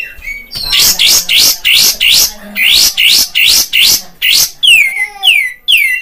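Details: Kapas tembak bulbul, Padang, as a lure to provoke a trained bird: a fast series of about ten harsh buzzy notes, then several clear whistles falling in pitch.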